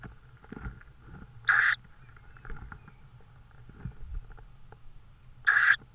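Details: Evening recording at an Estonian tawny owl nest with prey, 6 May 2013, 21:04. Two rough, breathy shrieks come about four seconds apart, with quiet rustling between them.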